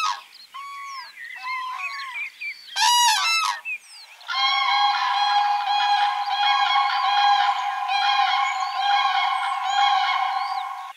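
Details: Spring courtship dance of wild common cranes in breeding season: a few rolling trumpeted calls and one sharp loud burst, then a sustained, overlapping chorus of bugling cranes lasting several seconds.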